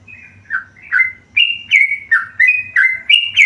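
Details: Tame yellow-vented bulbul singing a varied sequence of whistled notes, some swooping low and others held high, with the phrases speeding up and growing louder.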